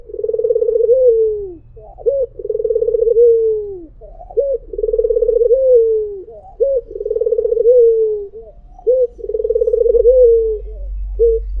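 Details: White Barbary dove giving its melodious 'mpuk jeruuu' coo: a short clipped 'mpuk' followed by a long, rolling, slightly falling 'jeruuu', repeated steadily about every two and a half seconds. Four full phrases, with faint low background hum.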